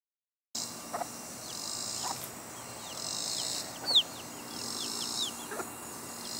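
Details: Chicks with their mother hen: many thin, high peeps sliding downward, scattered and overlapping throughout, with a few short low clucks from the hen near one, two and five and a half seconds.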